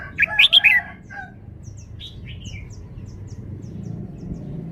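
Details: Red-whiskered bulbul showing off its song style: one loud, quick, rich warbled phrase of several whistled notes at the start, then faint high chirps and a soft falling phrase over low steady background noise.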